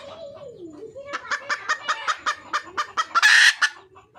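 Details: Wild junglefowl hen calling to attract a male: a soft gliding note, then about ten evenly spaced clucks at a steady quick pace that build into one loud, harsh, drawn-out squawk.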